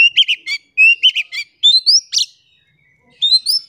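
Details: Oriental magpie-robin song used as a lure to make silent birds sing: clear whistled notes with rich chattering overtones in short bursts, some rising slurred whistles, separated by brief pauses and a longer gap.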